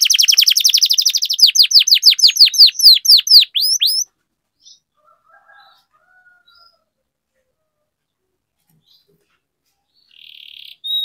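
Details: Canary rolling song for training other canaries to sing: about four seconds of fast high trill slowing into sweeping notes, then near silence with faint chirps and a short buzzy phrase at the end.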